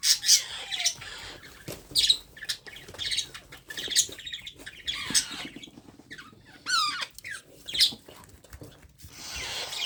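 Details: Baby parrot being hand-fed, calling with raspy chirps and squawks in quick irregular bursts, including a wavering harmonic cry, plus soft rustling of handling.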